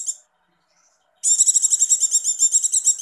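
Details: Ngecir call of a breeding-condition female Javan white-eye, played as a lure to stir males: the end of one burst, a pause, then a continuous, very high, fast chattering trill of almost two seconds.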